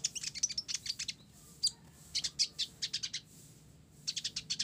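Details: Energetic song of a 'blorok' olive-backed sunbird, mixed with sparrow-like chirping: a nearly continuous stream of bright, high, rapid chirps in short bunches, with a low hum underneath.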